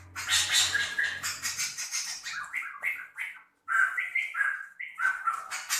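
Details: Harsh song of a Medan white-rumped shama used for training other birds: a long run of loud, coarse, buzzy chatter, a brief pause, then varied whistled and raspy phrases, with low hum at the start.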